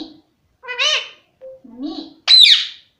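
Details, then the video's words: Pet parrot practising "mummy" in short mimicked syllables, some low and rounded, some high and nasal, ending in a loud harsh squawk-like burst. "मम्मी मम्मी मम्मी बोलता तोता"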